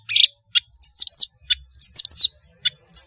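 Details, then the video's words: Energetic long-tailed shrike song alternating short grating chacks with clear high whistles that slide steeply downward, each sweep lasting about a third of a second, in a near-silent background. "BURUNG PENTET GACOR SUARA MERDU"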